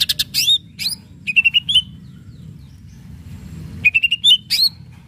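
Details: Greater green leafbird, a loud song meant to make untrained birds respond: sharp clicks and high slurred whistles, then quick runs of three or four even whistled notes, repeated after a pause.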